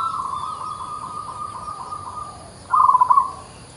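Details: Singing local zebra dove with an unusual voice: a long, even, wavering coo tone, then a short loud burst of rapid stuttered notes, over low steady background noise.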